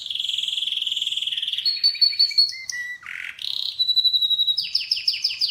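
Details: Canary singing a fast, even, buzzy roll that shifts to stepped whistled notes and a low swoop. It ends with a run of quick repeated upward chirps.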